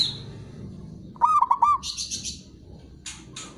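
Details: Local zebra dove delivering one rolling phrase of four quick, low, bubbling coos in the middle. It is followed by a pulsed, rasping high buzz and two short harsh bursts from another bird.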